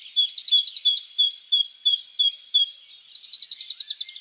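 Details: Great tit (Parus major) singing in spring in wild nature: clear, ringing two-note phrases repeated steadily about three times a second, then a faster, buzzier run of short notes at the end.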